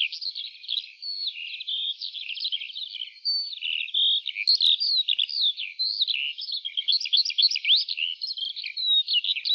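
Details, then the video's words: A lark singing over an open wheat field pours out an unbroken, high, rapid warble of trills, chirps and slurred notes without pause; no other sounds. "Lark Singing"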